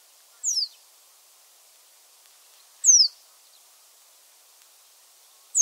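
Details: Reed Bunting, wintering bunting of coastal areas, giving one of its two commonly heard calls: a thin, very high-pitched, down-slurred 'soo', three brief notes about two and a half seconds apart against near silence.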